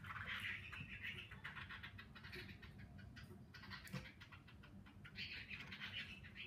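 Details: Caged fighting Hwamei, a wild-caught old bird with one season of captive plumage, doing display singing: dense warbled phrases open the recording and return near the end, separated by quieter clicks and scratching over a steady low hum.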